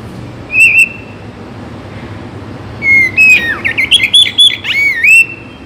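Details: Oriental magpie-robin (kacer) song for morning and evening play, meant to make birds eager to sing: one short whistled note, a gap with faint background hiss, then a burst of varied whistles, sweeps and chattering notes.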